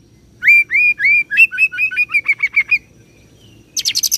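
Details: Oriental magpie-robin singing a roll of cililin and serindit imitations: a string of loud upslurred whistles that speeds into a fast twittering run, then a brief high buzzy rattle after a short gap.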